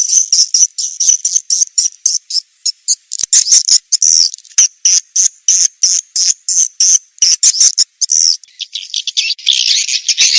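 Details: Swiftlet lure call used to attract swiftlets: rapid series of short, high chirps repeated several times per second, sometimes broken by brief gaps, ending in a denser burst of twittering.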